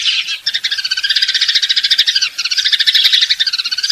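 House sparrow chirping in a fast, unbroken run of bright, slightly harsh notes, several each second, with a short pause midway. Nothing else is heard.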